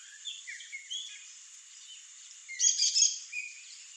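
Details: Wild swallow-tailed hummingbird perched in a natural Brazilian setting; faint scattered high squeaks lead into a loud burst of rapid, sharp chirping, followed by a short thin note, against constant high-pitched environmental hiss.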